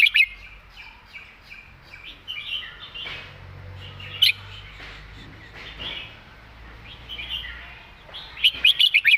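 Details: Red-whiskered bulbul singing a "master song" with fine phrasing: a loud opening note, soft chatter from other birds, a sharp mid-clip note, then a rapid burst of bright chirps at the end over low hum.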